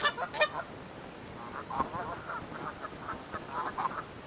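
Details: Canada geese quarrel over territory in a forest: a burst of loud honks at the start, then a run of softer, quicker nasal calls.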